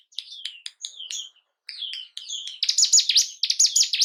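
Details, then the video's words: Bar-winged prinia lure song to spark breeding and aggression in kept birds: spaced thin high chirps and short slurred notes, then an abrupt switch to loud fast runs of harsh descending notes. "Pancingan burung ciblek gunung pancing birahi dan emosi burung anda"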